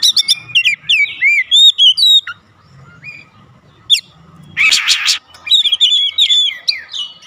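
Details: Oriental magpie-robin singing to provoke other birds at home, with quick whistled notes, a quiet stretch, a broad harsh burst near five seconds, then more rapid chirping phrases.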